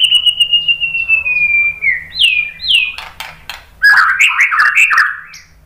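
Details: White-rumped shama singing as a lure to spur other birds to sing: one long, clear whistle that slowly drops in pitch, a pair of upswept notes, then a burst of tumbling, jumbled melodic phrases.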